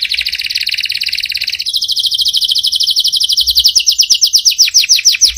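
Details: Canary singing strongly in continuous rolling trills, first lower and steady, then shifting higher and speeding into rapid pulsed notes that slide downward toward the end; no other sounds.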